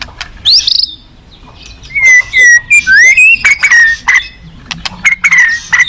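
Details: White-rumped shama delivering clear whistled phrases that rise and fall, mixed with short harsh chattering bursts and sharp clicks, over a steady low rushing background.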